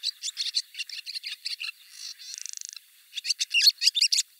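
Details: Barn swallow in Siberia giving a rhythmic run of chirping twitters, a buzzy rattle in the middle, then resumed energetic twittering.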